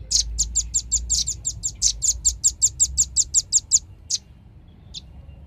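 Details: Velvet-fronted nuthatch lure recording for drawing birds in: a long, steady series of about eighteen sharp, high, piping notes at a fast even pace, then two isolated chips and quiet.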